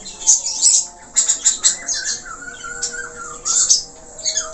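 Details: Budgerigar in full 'gacor' song with varied filler notes: sparse bright chirps, then a wavering, descending whistled phrase and brief scratchy chatter.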